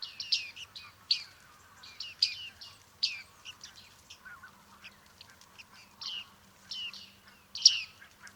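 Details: Bearded tit recorded at Liepāja, Latvia, in July 2023: busy series of metallic pinging, down-slurred notes from several birds, irregular and overlapping, with softer chatter between louder calls.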